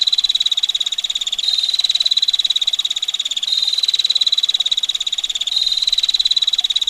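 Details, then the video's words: Long rolling 'ngetir' trill from a female bar-winged prinia. Fast, coarse ticks run without pause, and a small jump in pitch comes roughly every two seconds beneath a steady background of running water. "Prenjak Betina Gacor Ngetir Rapat Tajam Kasar Roll Panjang"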